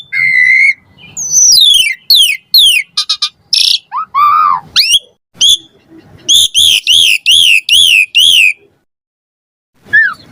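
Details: Lively Asian pied starling song, played to coax reluctant starlings into singing; a steady whistle opens, then tumbling slurred notes, buzzy bursts and a run of repeated arched whistles before a pause and one final note.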